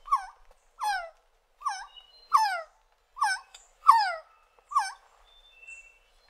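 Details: Resplendent quetzal producing a run of seven rich, falling notes with a slight hook, spaced under a second apart, and a faint higher whistle in the background.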